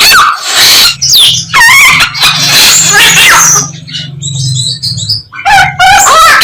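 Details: Samyong mimicking many other birds: varied whistles and chattering trills, a quieter passage of high twittering notes in the middle, and a low steady hum underneath much of the recording.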